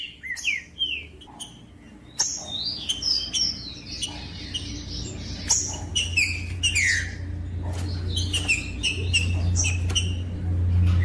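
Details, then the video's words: Rufous-bellied thrush song for stimulating captive thrushes: varied whistled phrases with rising and falling slurs, fairly rapid and irregular, louder in the first half, with a growing low rumbling background noise later. "DESTRAVA TRINCA FERRO !! COM TRINCA FERRO CANTANDO O MELHOR VÌDEO PARA ESQUENTAR TRINCA FERRO"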